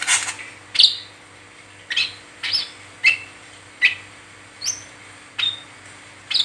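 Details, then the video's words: Brown-throated sunbird chattering 'ngeriwik teler', used as a lure to stimulate other sunbirds: clear high chips and short whistled slurs repeated about every half to one second after an opening scratchy burst, with a faint hum behind. "Burung Kolibri Kelapa Ngeriwik Teler Cocok Buat Pancingan Wiceh Gacor"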